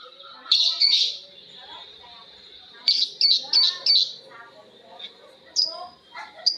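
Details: Ngekek chatter from lovebirds answering each other: short volleys of shrill, rapidly repeated notes separated by quieter gaps, with soft low chirping underneath.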